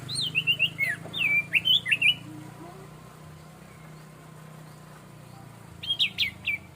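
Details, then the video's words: Orange-headed thrush, known locally as punglor, in relaxed plong santai song: a rapid run of bright, twisting whistles for two seconds, a pause, then a shorter sharp chattering burst near the end. "Suara Burung Anis Merah/Punglor Plong Santai"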